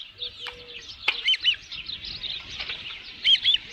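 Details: Ranch-nest osprey with a headless fish on 27 June 2018 at midday: strident high chirps in an uneven string, a couple of sharp clicks, and a short low steady tone near the start.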